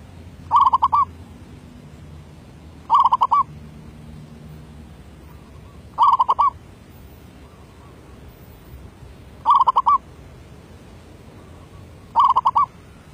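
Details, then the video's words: Zebra dove (merbuk) from 2019 in derak labuh voice-B style, giving five rich, ringing, rolling cooing phrases, each about three seconds apart, with quiet pauses between. "Suara B Derak Labuh"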